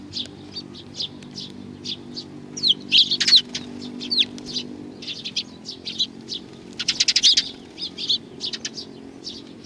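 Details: Sparrows gathering for food at Tenmangu, Nakanoshima, June 21 2020: steady short high chirps with a couple of louder clustered bursts, over a low humming background.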